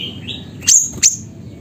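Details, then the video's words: Siri-siri bird from Busu Reului, Mutiara district, Pidie, Aceh: two piercing high, short chirps about a third of a second apart, preceded by a faint rising whistle from another bird. "Burung Siri Siri Nembak Suara Gacor"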